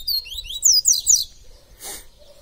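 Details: Double-collared seedeater (papa-capim), a kept bird said to sing all day, in the tui tui viviti song style: a quick run of high, thin, downward-slurred whistled notes, then a short noise burst and faint talking.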